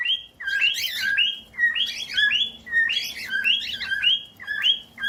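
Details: Pet cockatiel song, used for teaching cockatiels to sing: four repeated phrases, each a clear whistle near two kilohertz followed by a harsher, buzzy warbling burst, about one phrase per second, with a faint low hum underneath.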